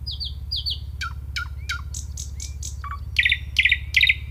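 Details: Nightingale song with quick paired high whistles, sharp falling notes, short pure tones and a series of rattling trilled bursts at the end, against a constant low-pitched hum.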